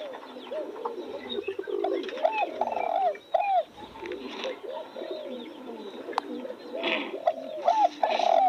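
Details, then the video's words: Spotted doves cooing in overlapping series: low, hollow, bent notes repeated irregularly, some louder and drawn out, with a few faint clicks and background murmurs. "Nghe tiếng chim cu gáy hót cực hay"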